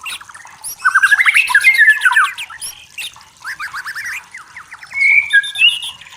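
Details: White-rumped shama from the forest giving bursts of fast chattering notes and rising buzzy phrases, separated by short pauses, closing with a clear whistled slur.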